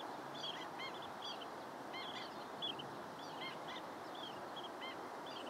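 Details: Busy long-billed dowitcher chatter: many brief high notes, often doubled, pour out in irregular bursts over a continuous rushing background.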